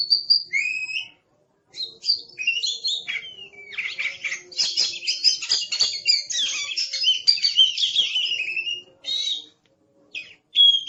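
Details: Oriental magpie-robin pouring out an aggressive master song: opening whistles, then a long dense stretch of loud chattering and rich warbled notes, ending in a few clear whistles after a pause.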